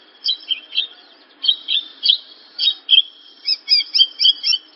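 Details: Branjangan (Javan bush lark) song: separate short twittered phrases, each a cluster of high slurred notes, coming roughly every quarter second with small gaps, over faint background hiss.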